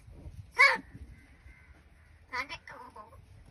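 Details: A talking crow in a village in the Palghar area, said to speak Marathi, gives two hoarse, word-like utterances while being offered food: a harsh rasping burst, then a longer vowel-like phrase a couple of seconds later, against a quiet background.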